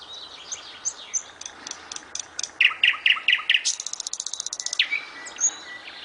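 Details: Nightingale song: a varied phrase of clear whistles, a run of five loud repeated notes, then a fast buzzy, rattling trill, closing with a sharp rising whistle.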